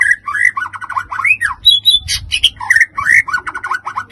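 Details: Provoking song of a white-rumped shama: a rich, fast-changing stream of rising and falling whistles, slurred notes and short trilled bits, continuous and varied, over a faint low hum.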